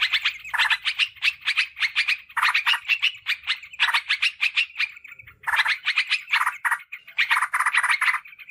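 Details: Lure audio of a yellow-vented bulbul, meant to attract wild birds in woods or gardens and to coach kept birds: repeated phrases of fast, raspy chattering separated by short pauses, with one longer break partway through.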